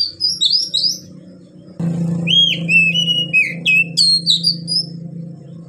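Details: Oriental magpie-robin (kacer) singing in the long-breath gacor ngeplong style: a bright burst of varied whistled notes and slurred, rising phrases, a short gap, then a fuller run of looping whistles over a steady low hum.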